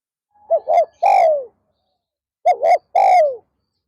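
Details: Spotted dove kept as a decoy to lure wild doves, calling in an afternoon session: two clear cooing phrases about two seconds apart, each two short hollow notes followed by a longer, falling coo, in otherwise quiet surroundings.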